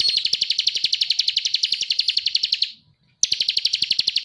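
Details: Rapid high rattling trill from a bar-winged prinia in energetic ngebren song, lasting nearly three seconds, then a short silence and a fresh burst.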